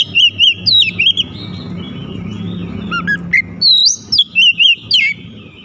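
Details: Loud whistled phrases and wavy repeated notes from a White-rumped shama (kacer), with short rapid chips, over a noticeable low rumbling background.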